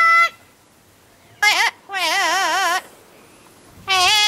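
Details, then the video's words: Captive double yellow-headed amazon singing after dark at the UK Parrot Zoo: a short held note, silence, then a quick clipped note and a longer trembling, warbled phrase, with another note starting at the end. "DYH Singing"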